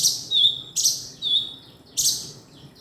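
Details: Male kinoi bird giving sharp, high chirps, each a brief bright burst that settles into a thin steady whistled tail, three calls spaced under a second apart, with faint low hum beneath.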